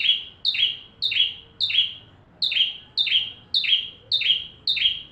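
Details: Bar-winged prinia singing full song as a tutor for magpie-robins: regular high, sharp chirps with falling buzzy ends, about two per second, clean and loud.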